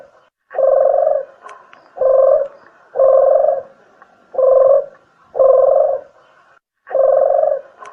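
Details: Spotted dove call used to lure birds: low cooing notes in short grouped bursts, each lasting about half a second, repeated roughly every one to one and a half seconds against a silent background.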